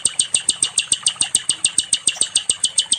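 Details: Nightingale, or sikatan londo, recorded as a training song for other songbirds, delivering a steady fast volley of identical high, clipped notes, about six per second, evenly spaced throughout.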